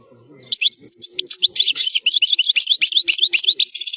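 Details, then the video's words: Wild European goldfinch song of the khalwi style, used for teaching young goldfinches to sing: a loud, rapid, fluid stream of twittering, tinkling and buzzy notes, building quickly into continuous chattering phrases after a quiet start. "الحسون الخلوي تغريد قوي صوت عالي خـــــــالي من الاخطاء"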